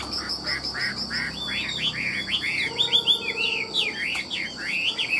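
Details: Caged Chinese hwamei offered for sale in Vietnam, praised for a fine voice and lively nodding song: varied whistled phrases rising and falling in quick succession, with a steady high electrical hum and faint voices underneath.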